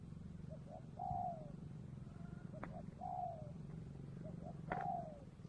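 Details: Spotted dove calling near the Cambodian border in the afternoon, a soft low coo phrase repeated about every two seconds: two short notes followed by a longer falling coo, over a steady low hum.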